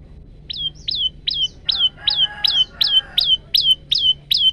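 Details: Phone recording of a male olive-backed tailorbird (prenjak lumut) in lively 'gacor' song with variations: a steady run of clipped, high down-slurred whistles, roughly three per second, with a softer lower tone under some notes midway.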